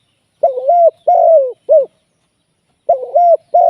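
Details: Spotted dove kept as a live decoy for trapping, giving a mellow cooing phrase of two drawn-out, slightly wavering coos and a short closing note. The phrase begins again after a pause of about a second, in an otherwise quiet setting.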